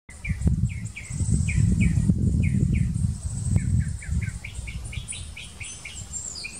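A Northern Mockingbird sings bursts of short, chirpy notes repeated several times, then switches phrases, with thin high whistles above and a steady low rumble of wind or traffic.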